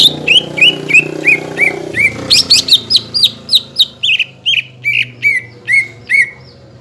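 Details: Greater green leafbird lure song to prompt untrained and group-kept birds: steady, evenly spaced upslurred chirps, a squeakier high cluster in the middle, then slower chirps over a soft low hum.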